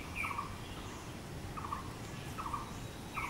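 A blue-throated barbet gives short, loud, mid-pitched rolling notes, repeated roughly every second, over a low background rumble.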